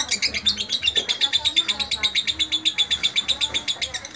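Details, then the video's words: Lovebird kept as a vocal tutor bird: a fast, steady series of sharp, high chirps, about four each second, running without pause through the whole stretch. "Guru vocal Lovebird"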